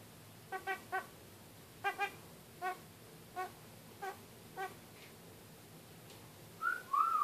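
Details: Caged pet kakariki talking: a series of short, nasal, harmonic notes, first in pairs and triplets, then single notes spaced about half a second apart. The passage ends with a high, bright whistled slur.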